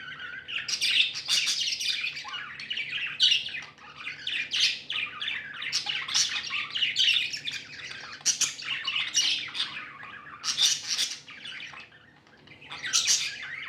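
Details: Several pet budgerigars, described as happy, chirping indoors: dense, continuous warbling with scratchy squawks and quick high chatter, rising and falling in bursts with hardly a pause.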